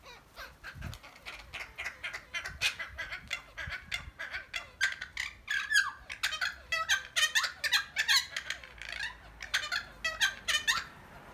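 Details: Two noisy friarbirds shooting the breeze in a holly fuchsia shrub: harsh, squawking, chattering notes repeated in fast irregular runs throughout, growing louder and denser toward the middle, with a faint low thump early on.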